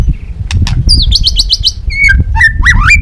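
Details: Lure song of a white-rumped shama in the balak 6 style for catching birds: a rapid run of repeated high notes, then varied swooping whistles and rising slurs over low background noise.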